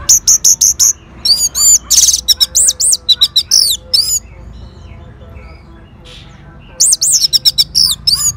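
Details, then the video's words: Orange-headed thrush answering a lure sound with a fast series of high, ringing repeated whistles, then varied slurred phrases, a quiet gap with faint twitters, and another burst of looping notes. "Sangarnya Respon ANIS MERAH Langsung Nyaut Dengar Pancingan Suara Burung Ini."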